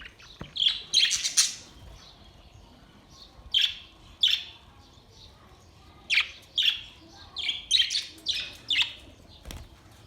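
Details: Budgies singing on 22 May 2023, scattered high squeaks and short chattering bursts, with some notes paired and a soft click between phrases.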